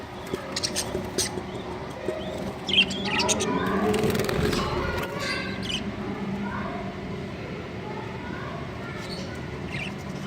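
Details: Budgerigars in a breeding colony in summer chatter continuously, with sharp chirps and warbling notes from many birds calling together.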